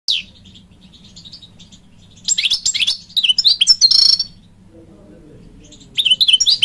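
A European goldfinch sings rapid bursts of tinkling, twittering notes and buzzy trills, high-pitched and fast-changing, with brief pauses between phrases.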